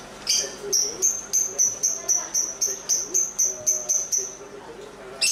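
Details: Lovebird sounding off while dancing, giving a fast run of about fourteen sharp, high chirps at roughly three per second, steady and even in pitch, ending in one louder burst.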